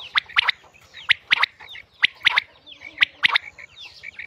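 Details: Quail hunting call from Mianwali, female bird: clipped bright notes in pairs and triplets, mixed with softer downward-slurred chirps in between.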